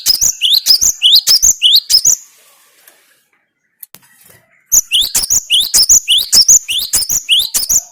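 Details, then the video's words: Cinereous tit song: bright, high rising whistles delivered in fast, even runs of about eight notes. A brief gap with a faint click separates them from another long run of the same notes. "Makin Edan gelatik batumu setelah dengan suara ini"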